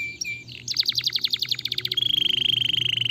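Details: Singing canary used to spur other canaries into song, starting with short whistles, then a quick series of sharp falling chirps and ending in a fast, even, buzzy trill.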